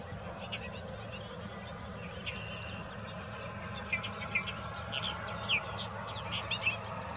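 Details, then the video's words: A male bobolink preens and sings on a grass tussock in Ontario, a bubbly, tinkling jumble of quick metallic notes in rapid bursts, over a steady low rumble of background noise. "Bobolink Song"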